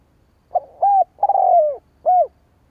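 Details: Luring coo of a spotted dove used to attract rival wild doves: a short clipped note, an arched coo, a long stuttering coo that slides downward, then a final rounded coo.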